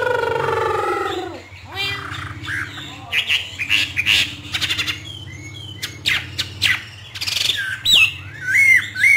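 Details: Hwamei from northern Vietnam trained for 'hót thả' free singing; a man talks at the start, then sharp, scattered whistled notes and upward-sweeping slurs follow, with a steady low hum beneath.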